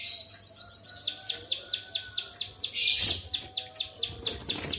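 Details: Canary-style song from a white-headed munia: a continuous, fast string of high, downward-sweeping notes repeated several times per second, with a brief loud burst in the middle.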